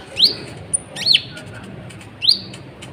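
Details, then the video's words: Sunbird, locally konin or kolibri ninja, used as a lure to provoke other birds. Three clear, sharply rising whistled notes about a second apart, with a thin high tone between the first two. "PANCINGAN KONIN GACOR, AMPUH BUAT MENAIKAN EMOSI BURUNG"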